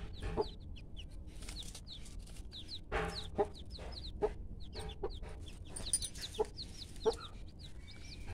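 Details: Brown Aseel hen teaching her chicks how to eat food: soft low clucks every second or so, with many high thin chick peeps in between, over a constant background rumble.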